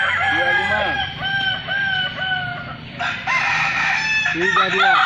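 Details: Balenggek chickens, ayam kukuak balenggek, at a crowing festival in Kota Solok: several roosters crow at once in long, stepped, wavering multi-note phrases, overlapping throughout, with a sudden louder burst of crowing midway and faint voices behind.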